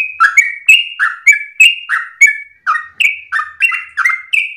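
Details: Yellow-vented bulbul; song; a model song for other birds to copy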